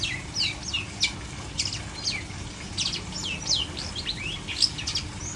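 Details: Long-tailed shrike, kept without a cage cover and not flipping, sings a busy run of sharp chirps, down-slurred whistles and short trills packed closely together, with faint low background hum.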